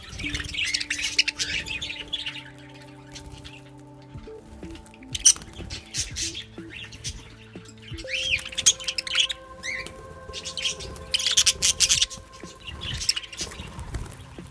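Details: Budgerigars chatter in busy, scratchy chirps and squawks over steady background music.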